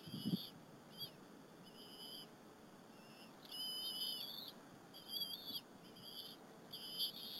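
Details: At a Berry College nest, bald eaglets share a squirrel with their mother one afternoon, April 30, 2015, on a live nest camera. Brief high whistles sound at intervals, one longer wavering call midway, with a quiet hissing background.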